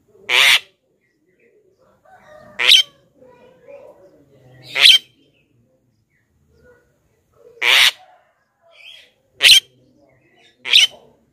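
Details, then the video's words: Javan myna lure call meant to bring in wild mynas: six loud, harsh, explosive squawks spaced two to three seconds apart, with quieter chatter between. "suara JALAK KEBO pikat"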